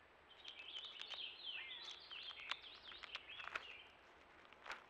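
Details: Purple Finch singing at a Ruffed Grouse drumming log in central Alberta, recorded by a trail cam: a fast, rambling warble of bright, liquid notes tumbling up and down for about three seconds, with soft clicks and outdoor hiss.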